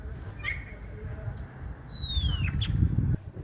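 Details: Common starling giving a single long whistle that slides steadily downward from very high to mid pitch over about a second, with a brief higher note just before it and a low rumbling background.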